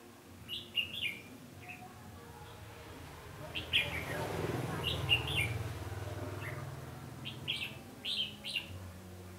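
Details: Red-whiskered bulbul decoy singing during trapping of wild birds, 20 November 2015: scattered quick whistled phrases, with a broad rushing noise in the middle and a man speaking briefly.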